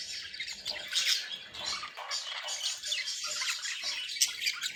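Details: Budgerigars happy and at play, giving a continuous high chattering warble mixed with harsh squawks and brief upward-sweeping whistles.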